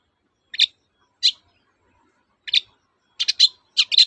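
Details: Long-tailed shrike singing in the 'toet-toet' style, played to coax silent shrikes back into song: single scratchy chirps at irregular gaps, then quick double and triple rasping bursts toward the end, no other sounds.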